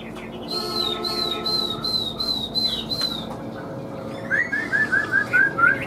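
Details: Caged hwamei, large with yellow feet and beak, singing: a string of even, repeated whistled notes at a steady high pitch, a pause, then a louder series of rising slurred whistles, with faint background hum.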